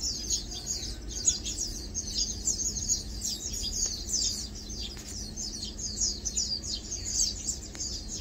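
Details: Lowland white-eyes chilling, feeding and preening produce a lively, high-pitched chatter of rapid sharp chips and brief falling notes, with several louder accents, over a quiet low hum.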